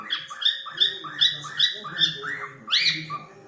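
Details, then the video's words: Cockatiel at play, indoors: harsh, harmonic-rich chirps repeated about every half second, ending in a louder upward-swept note, over a low background hum and rustling. "Cocktail bird playing and whistling Sound"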